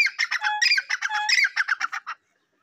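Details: Black francolin giving a fast, grating series of rasping, squawky notes with a brief lower whistled tone early on, fading out after about two seconds into silence.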